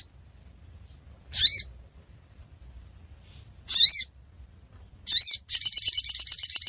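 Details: Ruby-cheeked sunbird at Busu Reului, Aceh: three separate high buzzy notes, then a fast, rattling run of rapid high pulses that closes the passage.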